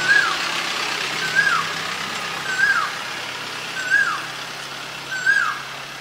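An Asian koel gives five clear, whistled, arched notes, one about every 1.3 seconds, over a steady rush of traffic noise.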